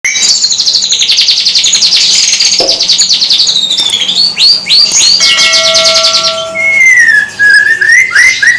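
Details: White-rumped shama (murai batu, Medan type) singing vigorously: a dense, continuous stream of rapid high trills, chattering notes and sweeping whistles, with several steady held tones near the middle and slurred whistles toward the end.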